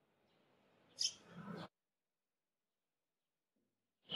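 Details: A Eurasian tree sparrow feeding on persimmons in a persimmon tree with other wild birds gives a single sharp, high chirp, then a soft rustle; after a pause, a second chirp begins.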